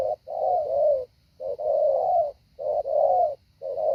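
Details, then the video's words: Decoy spotted dove in training, calling in paired coos: a brief note followed by a long, steady, mellow coo, the pattern recurring about once per second. "Mồi tập hạ bổi"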